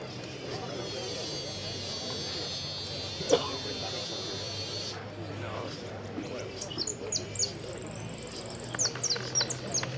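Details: European goldfinch at a singing competition in Ciudadela, 19 January 2020, a final-round champion. Voices and a low hum come first, then from about six seconds come rapid, high, thin twittering notes in dense bursts.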